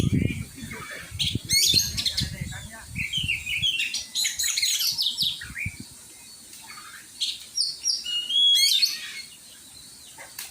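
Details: Oriental magpie-robin at song training, delivering bursts of clear whistled phrases and high buzzy trills separated by short pauses, with a few low thumps early on.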